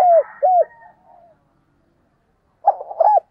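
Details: Spotted dove decoy bird: end of one coo phrase with two curved falling notes and a faint trailing murmur, a pause, then the hurried start of the next phrase.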